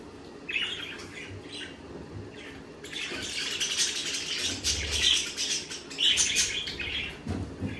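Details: Budgerigars chattering, with scattered chirps at first, then a dense stretch of overlapping scratchy twitters and warbles. Low rumbling and rustling noise runs beneath.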